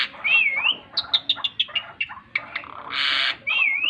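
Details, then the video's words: Asian pied starling in full song as it flaps its wings, mixing a wavering whistle, a quick series of short clipped notes, then a harsh rasping burst and another warbled whistle. "jalak suren gacor sambil mengepakkan sayapnya"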